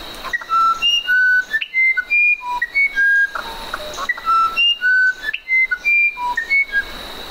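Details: Musician wren song of flute-like whistled notes, each a single steady pitch, stepping between low and high in a wandering melody, with the phrase pattern repeated twice.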